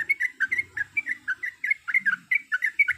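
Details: Female Yellow-vented Bulbul in breeding condition calling to the male: rapid run of short, bright chattering notes, each a quick up-and-down flick, about four or five a second, clean and without background noise.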